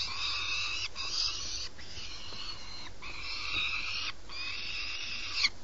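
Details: Peregrine falcons at a nest box on a tall building in Alcalá de Henares, Madrid, as prey arrives at night: loud rasping screeches, each about a second long, repeated four times with short breaks, over a faint low rumble.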